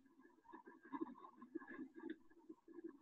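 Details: Barred owl (Strix varia) giving low, throaty hoots and gurgling notes in quick, uneven bursts, the call often rendered as 'who cooks for you?'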